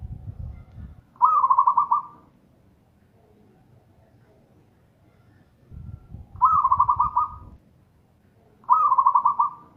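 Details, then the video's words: Local zebra dove in loud song: three fast, stuttering coo trills, two of them close together near the end, with bursts of low rumbling noise between phrases. "Perkutut lokal gacor - suara keras dan kencang - tiếng chim cu vằn - เสียงนกเขาชวา - merbok"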